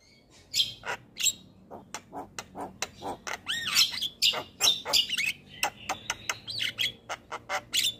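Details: Javan myna song used to stimulate lazy birds: a lively sequence of short clicks, harsh chattering notes and looping, rising-and-falling whistles, repeated several times a second with little pause.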